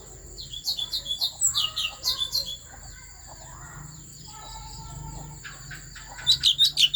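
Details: Asian fairy-bluebird from Vietnam's Central Highlands forest, song used to stir up other birds. A quick run of high chirps opens, then quieter softer notes, with another brisk chirping burst at the end.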